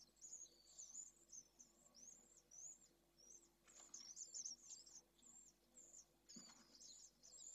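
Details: Three pallid swift chicks in nest N1 at Jerez, picked up by a live nest camera: thin, high, wavering squeaks running almost continuously in overlapping strings, with a few soft rustling knocks.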